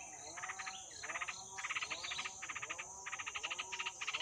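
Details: Hungry yellow-vented bulbul nestlings, two days after hatching in a wild nest, give rhythmic bursts of fast, grating begging notes, each group about half a second long, accompanied by a constant high insect whine.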